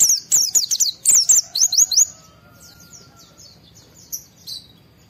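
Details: Agitated white-eye pouring out a dense two-second run of piercing, down-slurred chirps, meant to spur other white-eyes into song, then fading to faint distant twitters.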